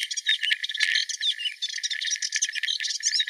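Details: Melodious warbler singing in Mila on 4 May 2021, a dense, loud, scratchy chatter of rapid notes and rattling trills running continuously, with two sharp clicks early on.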